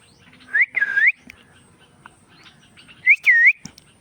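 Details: Indian ringneck parakeet producing bright whistled notes that rise and dip in quick pairs, one cluster early and another about two and a half seconds later, with a few soft clicks between.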